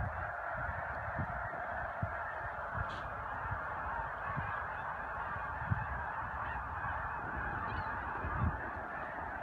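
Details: Migrating snow geese in spring at Choteau, Montana, March 2015, filling the air with a ceaseless chorus of high, barking honks, plus brief low knocks and a faint click near three seconds.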